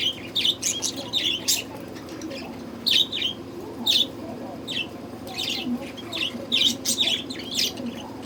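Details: In summer heat, budgerigars chatter with bright, squeaky chirps in repeated bursts, often in pairs, with brief pauses and a faint hum beneath.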